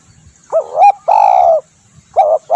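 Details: Spotted dove call meant for luring birds: a brief upturned coo, then a longer level coo, and the start of another phrase, low and mellow with clean silence between notes.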